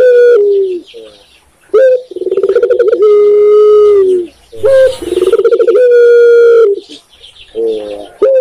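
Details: Indonesian spotted dove (tekukur) gives repeated low coo phrases. Each opens with a clipped upward note, runs into a throbbing pulsed roll and ends in a drawn-out even coo lasting about a second. Brief softer coos fall between phrases.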